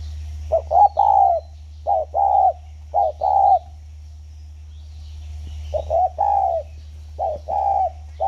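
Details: Caged spotted dove at Ba Vì, Vietnam, 29 October 2020, kept for a decade, giving low mellow two-part coos in evenly spaced phrases with a pause midway, a constant low hum underneath.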